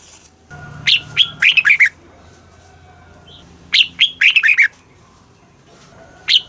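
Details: Red-whiskered bulbul, southern master style song used to excite caged birds and teach chicks, repeats the same phrase about every three seconds: a rising clear note then four fast tumbling slurs, with a faint hum behind.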